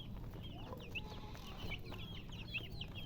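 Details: Chicken chicks giving scattered high, sliding peeps, sparser and softer than a full chorus, over prominent low background rumble.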